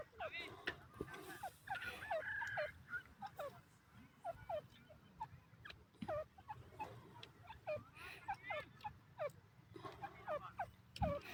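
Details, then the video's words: Irani teetar, or partridges, of Iran. A busy chorus of many birds repeats short descending harmonic notes every half second or so, clustered and overlapping, with a steady low hum beneath. "teetar birds awaz, irani teetar birds awaz,partridge sound"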